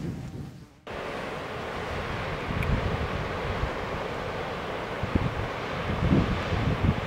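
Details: Strong wind buffets the microphone over steady rumbling surf on the coast of Ameland, after a brief quieter moment at the start, with no animal voices heard.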